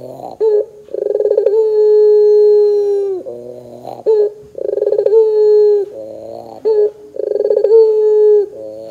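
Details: Barbary dove, the puter pelung, in a lure song for coaxing doves to call: three cycles of a rapid throbbing chuckle swelling into a long, steady low coo, each followed by a rough warbled phrase, roughly every three seconds.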